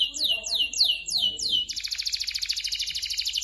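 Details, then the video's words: Canary singing to prompt other canaries: five clear sweeping notes falling in pitch, about three per second, followed by a fast buzzy rattling trill. "SUARA BURUNG KENARI GACOR"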